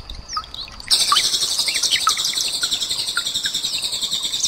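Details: Common nightingale song in the rapid burst style called tembakan, blended with trickling water and another bird, cililin, for tutoring cage birds. A few thin notes come first, then dense, high, fast twittering chatter runs on without a break.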